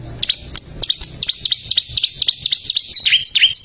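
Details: Bar-winged prinia singing actively, recorded to tutor caged birds: a fast string of high, sharp V-shaped chirps, about four per second, ending in lower slurred notes, with clicks in the background.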